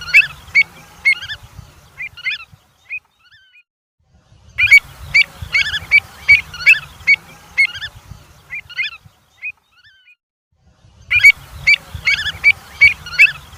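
Avocets give clear, clipped, high 'kleet' notes in quick overlapping runs from several birds, in bursts broken by short pauses, over a faint low rumble.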